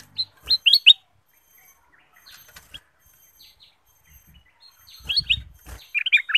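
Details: Bulbul called kutilang emas, sung as a lure to make other birds sing: a burst of bright chirping notes, a long faint lull with soft distant sounds, then more quick whistled phrases ending in tumbling slurred notes.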